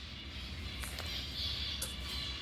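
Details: A captive zebra finch colony at the National Wildlife Health Center chatters, a dense wash of high, nasal calls over a low hum; these social, gregarious birds perch together in large groups.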